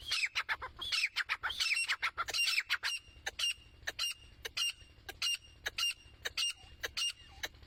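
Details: Female grey francolin calling: a busy run of sharp, squawky chirps and clipped notes, at first dense and overlapping, then thinning to spaced single notes about every half second.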